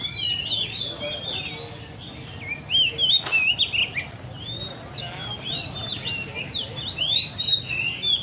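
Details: At a bird cafe in Le Thi Riêng park, caged Oriental magpie-robins deliver looping whistles and quick twittering notes, quieter at first then swelling into a fuller chorus, with a brief sharp knock midway.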